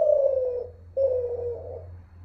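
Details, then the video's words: Zebra dove, Kelantan-type voice, Malaysia, unedited: two soft, mellow coos, each sliding gently downward and lasting about half a second, over a steady low hum. "Suara terkukur @ derkuku"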